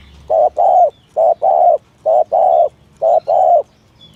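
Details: Clear spotted dove coos in the 'thổ thúc gù' style for luring other doves: four pairs of low soft notes, a brief one followed by a longer swelling one, evenly repeated with little background noise.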